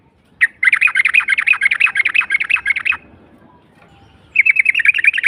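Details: Ngalas call of a yellow-vented bulbul, meant to make silent birds sing: a long, fast, bubbly run of high chirps lasting over two seconds, a pause, then another quick chirping burst.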